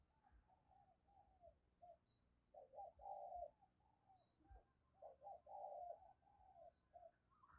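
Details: Spotted dove decoy bird giving a vigorous urging coo and crooning: low, hollow two- and three-note coos repeated in quick bursts. Light background hiss and faint high chirps from another bird.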